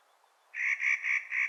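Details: Spring calling of a Clark's nutcracker, four loud, harsh, grating notes given in quick succession, each a raspy drawn-out squawk with a short gap between.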